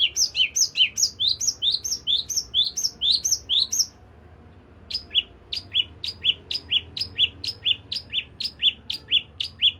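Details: Toed priyangan, used as a lure recording to get a bird singing actively: about four seconds of rapid high slurred notes, roughly five a second, then a short pause and a run of sharp two-part chips repeated about twice a second.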